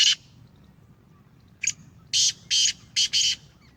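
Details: Sindhi Gangas lineage Black Francolin giving its grating call: a loud rasp, a pause, one sharp note, two harsh bursts and a quick doubled burst, with little other noise.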